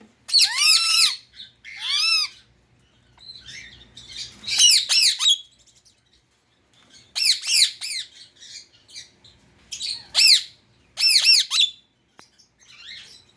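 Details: A pet Indian ring-necked parrot calls in a run of shrill, arched squawks, some doubled or tripled, broken by short pauses and softer chatter.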